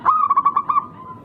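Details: Local wild zebra dove with a rare, unique rhythm, used as a lure to provoke rival doves into answering: a short run of about seven quick, pulsed coos at an even low pitch, fading into a softer trailing coo.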